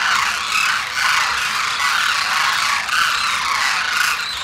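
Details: Wintering wild demoiselle cranes, known as koonj, gather in a big congregation at Khichan in Rajasthan, India. Countless harsh, rattling calls overlap into a steady roar, swelling slightly in bursts about every second.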